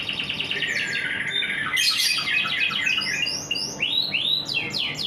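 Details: Canary singing in the morning: a dense, continuous warble of fast trills and rapid descending sweeps, with bright upward-curving whistled notes in the second half.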